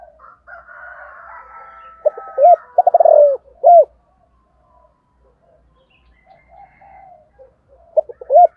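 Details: Morning calling by a 'thổ'-voiced Spotted dove aimed at wild doves: a full phrase of brisk notes, descending rolling trill and closing coo, then quiet bird chatter before a new phrase begins; other birds twitter early on.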